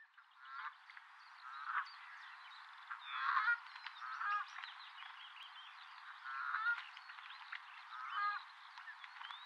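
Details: Common redshank, two birds fighting in the breeding season, mid-morning at a nature reserve in the Upper Ray Meadows. Scattered sharp piping notes and short rising whistles over a steady band of wetland background noise, loudest bursts near 3.5 and 6.5 seconds.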